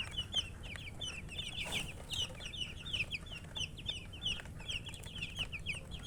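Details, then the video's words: Baby chickens peeping steadily: a dense stream of high, short, down-slurred chirps from several chicks overlapping one another, with a soft low hum and occasional faint knocks underneath. "MURGI Baby "Chicks Chirping" Sound"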